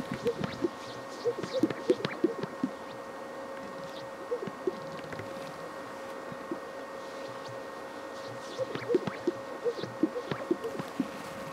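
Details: Greater sage-grouse at a lek in Fremont County, Wyoming, at peak breeding season with mating events, giving bursts of soft, bubbling pops from several males, clustered at the start and end, over a steady mechanical hum.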